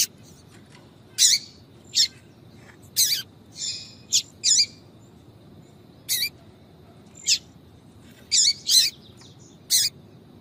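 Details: Calling female yellow-bellied seedeater, the 'tui tui' call used to stir up males: about a dozen brief bright chirps scattered irregularly, some paired, a few slightly drawn out, against quiet background hiss.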